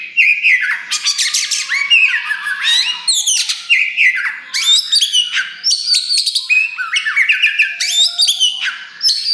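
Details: Oriental magpie-robin, black kacer wulung form, with a newly pushed-out tail, singing loudly to provoke other birds: rapid bursts of harsh chattering mixed with clear rising whistles, phrases packed closely with short gaps between them.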